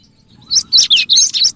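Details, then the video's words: Cinereous tit, used to lure other birds: a short burst of loud, sharp, slurred chirping notes after a quiet start. "suara pikat Burung gelatik batu gacor dan cocok juga buat pancingan gelatik batu yg susah bunyi"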